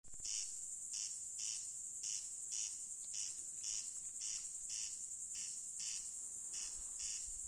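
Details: Corn crake calling at night: harsh, rasping bursts repeated steadily about twice a second over a continuous high, shrill hum of insects.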